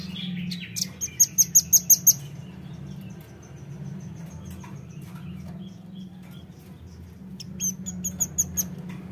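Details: Velvet-fronted nuthatch lure call used to attract birds: a quick burst of about seven sharp, very high chips, then a quieter gap and a second run of thin ticking notes, over a low steady hum.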